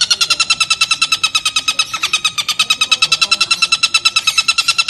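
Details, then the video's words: Long-tailed shrike in a clear tutor recording, giving a harsh, scratchy chatter of rapid, evenly repeated notes, about seven or eight a second, high and buzzy throughout, with no other clear sounds. "TENGKEK BUTO | suara jernih"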